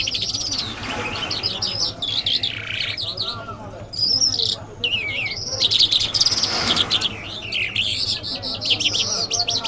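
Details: Iranian lark, called jal and described as mashhadi mast, pouring out a long rambling song of twittering whistles, swoops and buzzy phrases with brief gaps, over a steady low background hum.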